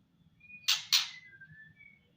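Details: Female white-rumped shama giving its ketrekan rattle call: two short, harsh, noisy bursts about a quarter second apart, with faint thin whistles in the background.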